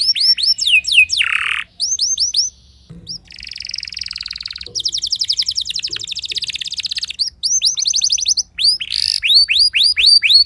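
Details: Timbrado canary practicing song early in the morning, alternating repeated downslurred whistles, harsh buzzy bursts and sustained rolling trills of fast pulses, with brief quiet gaps between phrases.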